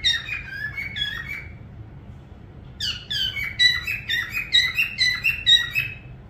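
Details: A parrot whistles a few quick descending notes, then goes silent for about a second and a half. It then breaks into a rapid, rhythmic series of sharp chirped whistles that grows louder.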